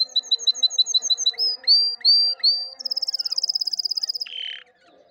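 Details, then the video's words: Canary song meant for training young silent canaries to sing: rapid repeated high chirps, then a run of rising slurred whistles, a fast even trill, and a short buzzy note at the end, with a low steady hum behind. "عندك فراخ كناري ساكت أسمعه هذا الصوت، دربه على الغناء"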